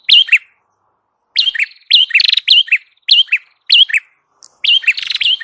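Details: Prenjak kepala merah prinia song for luring: a short chirp, a pause, then a run of closely spaced phrases, each a looping whistled note followed by a buzzy trill.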